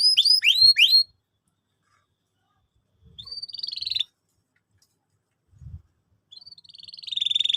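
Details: Canary singing a lure song meant to train young canaries: three separate bursts of high, rapid, falling whistled notes and a buzzy trill, with silent gaps between phrases and faint low thumps.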